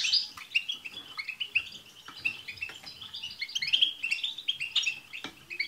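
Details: A massed chorus of European goldfinches, with 'tsts' notes, used to stimulate a pet goldfinch to sing. The twittering is dense and continuous, with sharp bright notes standing out and growing busier toward the end.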